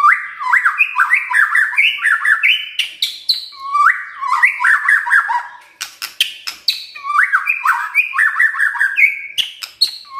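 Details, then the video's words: Continuous white-rumped shama song from a kept bird: repeated runs of clear whistled notes rising in steps, followed by dry rattles and sharp cracking clicks, the same phrase pattern returning roughly every three seconds. "KRETEKAN DAN TEMBAKAN murai batu full isian"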